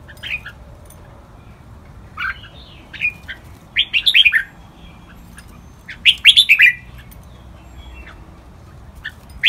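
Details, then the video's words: Red-whiskered bulbul training song in the lak wai style, scattered warbled phrases: a few single chirps, then rapid bursts of five to six bright notes at about four and six seconds, quiet gaps between. "นกกรงหัวจุก | เสียงร้องเพลงลากหวาย คึกคัก คมชัดนกฟังร้องตามชัวร์ (เสียงฝึกร้อง)"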